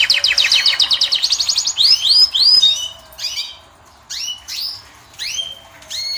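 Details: European goldfinch (Moroccan), caged male singing to attract the female: a fast run of short repeated high notes, then slower rising-falling whistled phrases separated by brief pauses.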